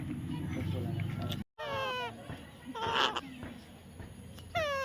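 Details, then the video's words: Baby parrot being tamed utters falling, nasal harmonic calls, the first after a brief gap, then a rough burst, then a final descending squawk, over a low rumble. "natural funny parrot sound"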